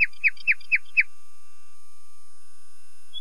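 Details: Five loud, evenly spaced downslurred notes from a common nightingale, about four per second, followed by silence.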